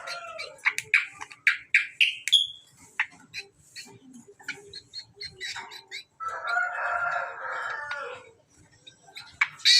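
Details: Hand-raised greater green leafbird mixing sharp rising whistles and rapid chips, then a sustained harsh, churring chatter, with a few bright notes at the end.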